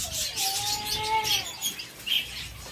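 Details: One drawn-out nasal tone from a captive zebra finch eating seeds at a Sargodha breeding setup, held steady for about a second then fading, with fine ticking and crunching of seed around it.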